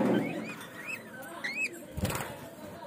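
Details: A pet budgerigar from Bangladesh utters a run of whistled notes that rise and fall in small arches, followed by a short clatter and quiet background noise.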